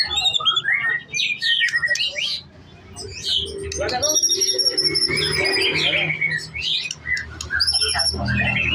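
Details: Young white-rumped shama singing a rich, varied song of quick whistled and chattering phrases that jump between high and mid pitches, with brief pauses and a low background hum.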